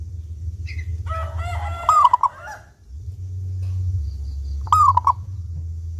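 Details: Local zebra dove, a clear-voiced, actively singing bird used as a lure to get other doves singing. It gives a mellow cooing phrase with a quick stuttered ending, then repeats it about three seconds later. Assorted other bird notes and a low rumble sit behind it.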